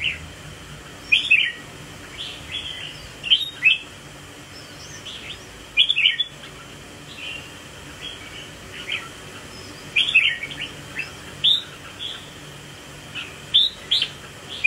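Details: Red-whiskered bulbul, a close-up bird joining a group and swaying in display; short bright chirpy phrases in clusters at about 1, 3.5, 6, 10 and 13.5 seconds, with faint quieter chirps between them over a low steady hum.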